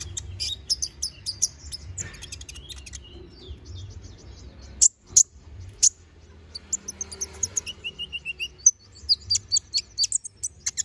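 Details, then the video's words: Konin bird in lively gacor full-isian song, used as a training recording for magpie-robins: rapid high chirps and short trills, some sharp loud notes, with a run of evenly spaced clicks near the end over a low background hum. "MASTERAN BURUNG KONIN GACOR NGOBRA FULL ISIAN! Cocok untuk masteran burung murai batu"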